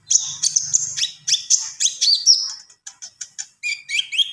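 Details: Full song from a Javan pied starling, sharp high chirps and sliding whistles in quick series, ending in shorter clipped notes and a lower warbled phrase; slight low hum at the start.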